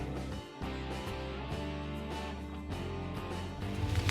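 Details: Instrumental music with plucked guitar chords and low bass tones; no animal sounds.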